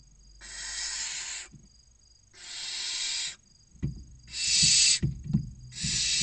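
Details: Inside a nest box near a visitor centre in Cabañeros National Park, Spain, six barn owl nestlings of different ages wait for a food delivery. Four rasping, hiss-like begging bursts of about one second each repeat with low thumps and shuffling.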